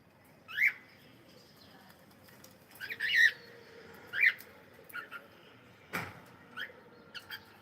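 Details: Cockatiel giving loud, harsh, ringing squawks with rich overtones, roughly one per second in uneven bursts, with a single sharp click midway and otherwise a quiet background.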